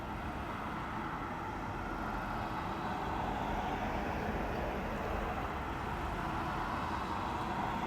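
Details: A street at night with a steady broadband roar of passing traffic and vehicle rumble, no clear animal calls standing out above the noise.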